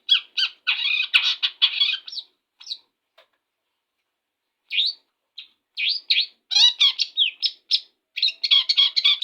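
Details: Long-tailed shrike singing right after its morning bath: bursts of scratchy, chattering notes and quick rising sweeps, a pause of about two seconds, then dense rapid twittering phrases resuming, in a quiet setting.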